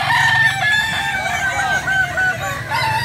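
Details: Kukuak Balenggek rooster at a joint crowing practice held like a real contest, where the most frequent crower wins; steady, stepped syllables that rise and fall in a drawn-out crow, with low background hum and more birds crowing.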